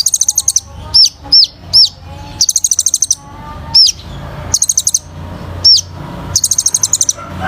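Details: Olive-backed sunbird singing vigorously as therapy for reluctant singers: rapid high rattling trills alternate with single hooked whistles, the pattern repeating several times at an even pace.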